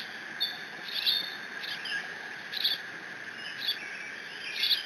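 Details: Bald eagle eaglet in the Decorah nest, alone when its father delivers a fish on 30 June, squeeing while mantling the catch: short high squeaky notes in spaced bursts about every second, over steady hiss.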